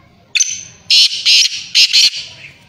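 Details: Female grey francolin giving a loud, harsh call: an opening squeaky note followed by four strong grating notes grouped in pairs, ending with a fading tail.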